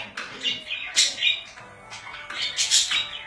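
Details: Short stretch of pet budgerigar chatter: scratchy chirps and two loud rasping bursts near one and two and a half seconds.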